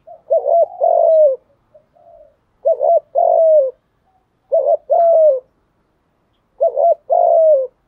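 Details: Repeated spotted dove cooing meant to lure wild doves: four evenly spaced phrases, each a rapid doubled wavering coo followed by a longer falling coo, about every two seconds, with faint soft notes between.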